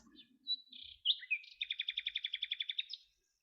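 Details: Male common nightingale song: a few short varied chirps and a sliding whistle, then a rapid, regular trill of about fifteen sharp repeated notes lasting around a second and a half, stopping abruptly.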